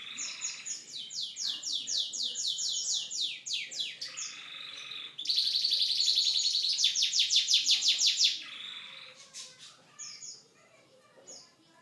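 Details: Pet canary giving a loud, rolling song: long series of rapid repeated high notes, then a brighter, louder trilled burst at mid-song, fading into a few scattered chirps and quiet.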